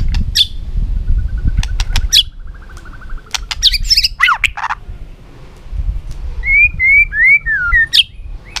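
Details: White-rumped shama song with scattered sharp clicks and brief harsh notes early, a buzzy burst midway, then a series of clear slurred whistles near the end over low background rumble.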